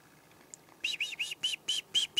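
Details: Chickadees visiting a hunter's tree stand on a morning in 2008, giving a quick series of about seven harsh, buzzy repeated notes, roughly three per second, after a brief quiet start.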